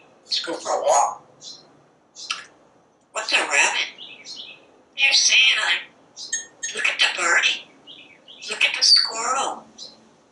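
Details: Parrot chattering non-stop on a screened porch while watching squirrels and birds; a string of harsh, squawky spoken words comes in rapid bursts with short gaps.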